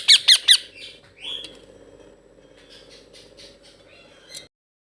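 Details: A baby blue ringneck (rose-ringed) parakeet kept as a pet gives three quick, harsh squawks, then softer scratchy chatter over a low steady hum.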